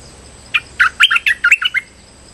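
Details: Trapping lure call of a streak-eared bulbul: a rapid chattering phrase of around eight bright chirps with rising and falling slurs, followed by quiet with a faint steady high tone.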